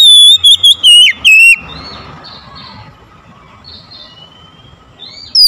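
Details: Oriental magpie-robin song meant to provoke a mute bird into singing. A quick run of loud, choppy whistled notes fills the first second and a half, then soft, faint warbles, and one more whistle at the end.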